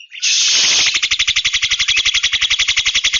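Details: Javan myna singing at length with few pauses: a rapid, even rattle of harsh, buzzy pulses, about four per second, after a brief hissing burst at the start.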